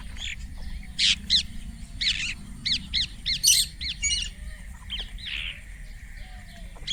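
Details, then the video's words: Indian ringneck parrot chirping: a series of short, sharp, high chirps and squeaky notes in quick irregular bursts, roughly two or three per second, over a faint low rumble of background noise. "Indian Ringneck Parrot natural sound 🥰 Tote ki awaz 🦜 Mithu chirping sound"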